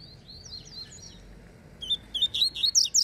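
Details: Double-collared seedeater singing the Falcone style while contesting a rival. Gentle, sliding high whistles give way to a loud, rapid series of clipped, buzzy chirps.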